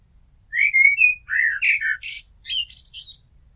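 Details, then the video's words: A house blackbird sings one full phrase: clear fluting whistles rising and falling, then a run of shrill, squeaky twittering notes at the end. "Amsel Gesang - Merle Noir Chant - Blackbird Song - Mirlo Cantando"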